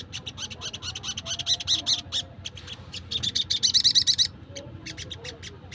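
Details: Crimson sunbird in the wild, whose calls serve to lure birds: fast run of high, dry ticking notes that speeds into a tight, bright twittering burst, then thins to a few scattered ticks.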